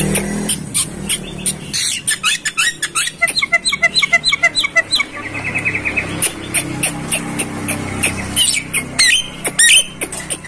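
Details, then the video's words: Javan myna song from a tutor recording for training birds, with scratchy chatter, a long fast run of rhythmic ticking notes and a buzzy trill, then more varied squeaks over a low background hum. "masteran jalak kebo"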